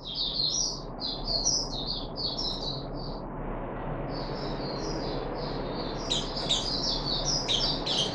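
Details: Caged puff-backed bulbul, 14 July 2021, third day of deworming: quick, bright chattering phrases, a short pause, then denser overlapping chirps, heard over a steady low background hum.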